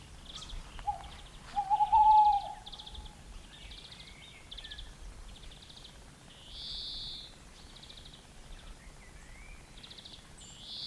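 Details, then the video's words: Tawny owl perched in the open, singing: one long, slightly wavering low hoot held for about two seconds, with thin high chirps from small birds around it and steady background hiss. "Песня серой неясыти"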